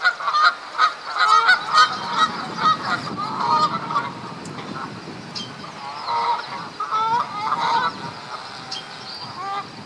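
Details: Canada geese in spring mating season at Duke Farms, New Jersey, April 2015, fighting for females: loud, harsh honks in rapid irregular bursts, several birds overlapping, busiest in the first two seconds and again near seconds six to eight, over a low background rumble.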